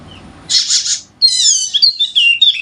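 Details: Wallacean white-eye of Sumbawa, West Nusa Tenggara, a harsh noisy burst followed by a quick tumble of high warbled chirps; intended as a prompt for lazy birds to sing.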